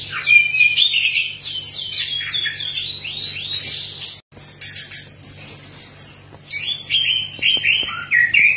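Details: Orange-headed thrush singing nonstop, a recording meant as a lure to provoke other orange-headed thrushes into song: rich, fast medley of high whistles, slurred trills and chattering phrases, with a sharp break near the middle and a faint low electrical hum.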